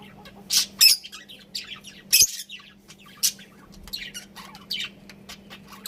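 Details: Budgies chattering in a group, giving scattered bright chirps and short scratchy squeaks with gaps between, over a faint constant low hum.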